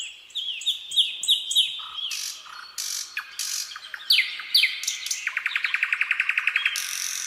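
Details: Common nightingale (Luscinia megarhynchos) sings a rich, varied phrase: repeated whistled notes, harsh buzzy bursts, then a fast, even rattle of about fifteen clipped notes, with no other sounds.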